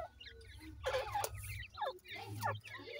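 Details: Francolin chicks during feeding utter loud, bent, down-slurred chirps in two bursts about a second apart, surrounded by softer twittering from other chicks and a low droning hum.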